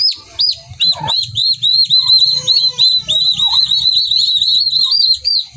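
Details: Domestic turkeys kept in a backyard in the Philippines, a mother hen among them: a steady run of high, thin, down-slurred peeping whistles, about three per second, with faint low murmuring underneath.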